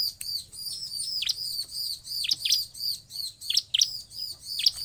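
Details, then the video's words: Ciblek sound used as a lure to make ciblek sing: rapid high chirps with sharp downward notes, repeated in quick bursts over a steady high trill. "Suara Ciblek Paling MANJUR untuk pancingan ciblek agar bunyi"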